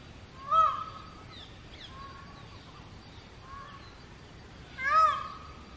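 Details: An immature short-tailed male Indian peafowl calling loudly on a road in the summer breeding season: two loud nasal, honking screams about four seconds apart, with fainter wailing calls between them.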